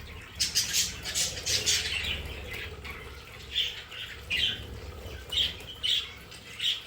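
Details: Pet budgerigars in their play area give bursts of sharp, squeaky chirps and scratchy warbles, several birds calling in quick clusters with short pauses between, over a faint low hum.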